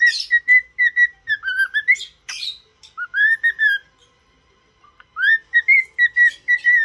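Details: Cheerful cockatiel whistling a tune while being taught to sing: repeated level whistles, a wavering lower phrase and a couple of rough bursts, a long held note, a silent gap, then rising whistles and a fast run of short notes.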